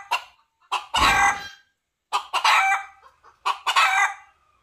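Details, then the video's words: Junglefowl rooster calling for a female, giving three hoarse crows, each led by two quick short notes before a longer rasping syllable, repeated roughly every one and a half seconds. "សំឡេងមាន់ព្រៃរកញី - Jungle fowl"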